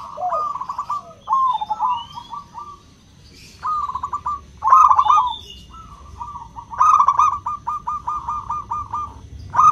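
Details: Zebra dove, local crystal-voiced bird, used to stir reluctant doves into song: series of fast rolling coo trills, some long and evenly beaded, with brief pauses between phrases.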